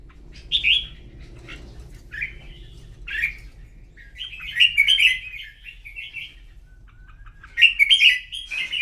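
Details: Red-whiskered bulbul singing competitively in the morning: short whistled notes repeated about every second, building into longer bubbly warbled phrases.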